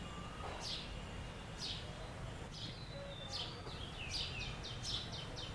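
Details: House sparrow chirping, a series of short, sharp, high cheep notes, sparse at first then quickening into a rapid cluster of chirps near the end, over steady low background noise.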